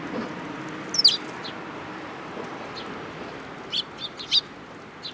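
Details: Sparrows at a Tenmangu shrine on 7 July 2022, coming to take food from a hand: a sharp burst of high chirps near the start, then a quieter run of short chirps a few seconds later over faint background hiss.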